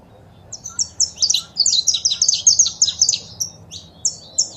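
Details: Saffron finch (canário-da-terra) singing, male song with female chirps used to rouse a pet bird. Quiet start, then a fast string of sharp high chirps about two seconds long, followed by a few spaced notes.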